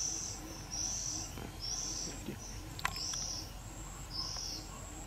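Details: Oriental magpie-robin rearing its young, filmed from a camera placed high; thin, high hissing notes repeat about once a second, with a sharp click midway over low background noise.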